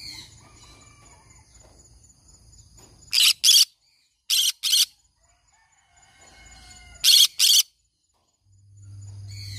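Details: Green-cheeked conure giving harsh, loud screeches in close pairs, three pairs about two seconds apart, with quiet stretches between, over a steady low hum and faint high electronic tones.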